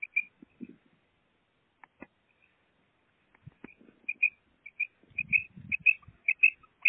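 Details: Female common quail kept as a pet, giving clipped high double notes after a quiet stretch, the pairs coming faster toward the end over low rustling and tapping noises.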